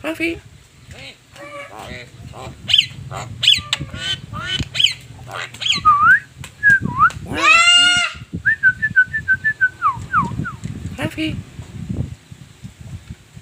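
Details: Javan myna, unedited recording: harsh, stacked chattering notes, then clear slurred whistles, a loud rising squeal in the middle and a series of short descending whistled notes near the end, with low background rumble.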